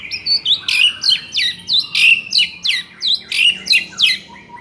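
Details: Tutor recording of white-rumped shama song meant to rouse a bird that sings too little: loud, ringing phrases with downward-sweeping whistles, repeated roughly three times a second in a steady, rhythmic series.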